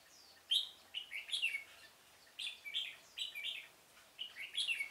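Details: Red-whiskered bulbul decoy singing in a pomelo garden on 25 October 2017 to lure wild birds into a trap; three bursts of bright, warbling whistled phrases with sharp slurred notes, separated by short pauses.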